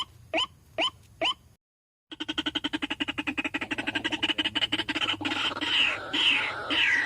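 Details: Waterhen lure call for drawing a flock: three sharp rising notes, a pause, then a rapid stream of rough clucking pulses that swells into loud, grating squawks.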